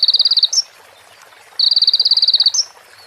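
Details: Sunbird in a training recording for other songbirds, with female prinia and ciblek parts: two quick rattling trills of evenly spaced high notes, each ending in a brief upslurred chip.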